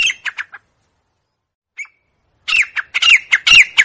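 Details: Grey francolin, known locally as teetar, giving a few harsh grating notes, a long silence with one faint note, then a loud rapid burst of raspy whistled phrases.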